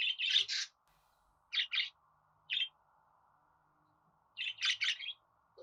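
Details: Budgerigar calling with rasping chirps, a double burst at the start, then single and paired notes after pauses of about a second, ending in a quick cluster of three chirps.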